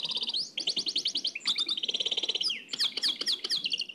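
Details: Old cassette recording of a nightingale's Oued El Alleug style song: quick repeated-note trills switch between pitches, joined by upward slides, and end in sharp, emphatic descending notes.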